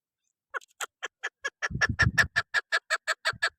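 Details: Female chukar partridge call used by hunters to attract birds: a rapid, steady series of short, harsh chuk notes, about six each second and evenly spaced, with a brief low rumbling thump partway through.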